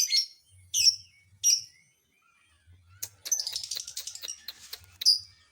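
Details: Lovebird vocalizing to provoke rival lovebirds: three piercing chirps about half a second apart, a pause, then a busy run of rapid scratchy chatter closed by one more loud shrill note.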